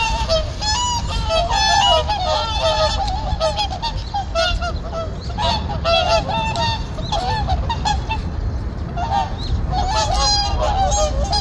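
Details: Morning at a winter reservoir as returning whooper swans nod, call and clash; resonant two-note bugling honks in uneven groups, louder at the start and again near the end, with a quieter gap between.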